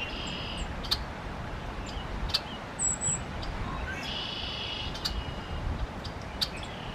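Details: Golden-crowned kinglet, sitting still in Ontario in April 2022, gives a short run of very high, thin tsee calls with lower buzzy twittering over a steady rush of wind or water.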